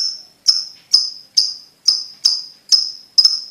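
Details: Evenly spaced lovebird ticks, roughly two per second, each a crisp click fading into a high thin tone; ticking used to train young lovebirds into quick trilling.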